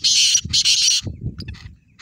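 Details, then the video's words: Black francolin calling with two long, loud, scratchy bursts in quick succession, followed by fainter short rasping notes and low background rumble. "kala teetar ki awaz"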